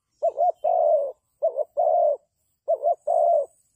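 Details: Decoy spotted dove cooing during bird trapping; three clear phrases of a brief two-part coo running into a sustained low coo, repeated at an even pace, loud and close with only faint high background sounds.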